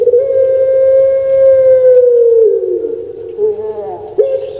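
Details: Long, level humming coo from a captive puter pelung dove of Indonesia, sustained about two and a half seconds, then sagging in pitch into a rough trailing note before another call begins.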